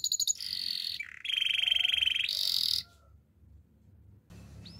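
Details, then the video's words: Canary singing a relaxing melody: buzzy high trills and a bright rapid rolling phrase, then fading to near silence with a faint rising whistle at the end; low background hum throughout. "Super relaxing canary birds sounds"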